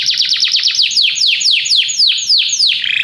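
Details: Several canaries sing together in response to music, giving a rapid series of bright downward-sweeping whistled notes, about four per second, shrill and sharply repeated throughout, with a faint low hum underneath.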